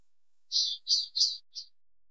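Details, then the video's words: Male Palestine sunbird in Tanomah, Asir Region, Saudi Arabia: four short, high, buzzy-chirped notes in quick series, the last one shorter and softer, with silence around them. "Palestine Sunbird ♂️"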